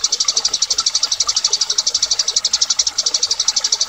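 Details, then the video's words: Eurasian tree sparrow fighting call, used as song-training audio for cage birds: a fast, steady run of high, harsh chirps, about eight a second, with a faint hiss of background noise. "Burung Gereja Tarung"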